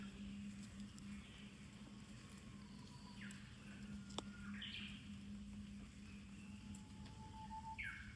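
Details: Japanese bush warbler singing in summer at Kamakura after rain: a faint, long, low whistle twice, each ending in a quick higher warbled flourish, over a steady low hum and outdoor ambience.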